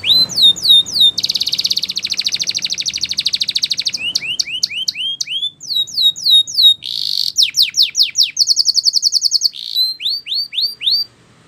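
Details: Spanish Timbrado canary singing a training song: loud high tours of rapid metallic trills, buzzy rolling sections and repeated upward-curving whistled notes, several phrases changing every second or two, no other sounds.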